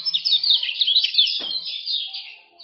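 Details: Lombok male common iora singing continuously, a recording for tutoring and luring other birds: unbroken stream of quick high twittering notes, slowly fading at the end.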